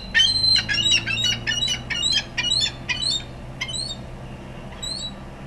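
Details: Ring-billed and Iceland gulls fighting over food in a feeding frenzy. A rapid, loud series of shrill yelping calls, about two or three per second, fades into a few spaced cries, with a low hum behind.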